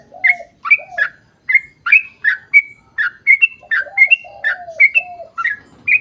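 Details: Sooty-headed bulbul singing at length as a lure for other bulbuls: whistled notes that fall and rise irregularly, some doubled, interleaved with lower smooth cooing phrases.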